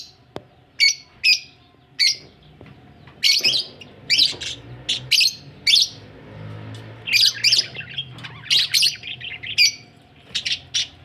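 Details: A budgerigar group, said to be ready for egg laying, chatters in a long run of scratchy chirps and squawks, some clipped and sharp, others buzzy and drawn out, with a faint low hum beneath.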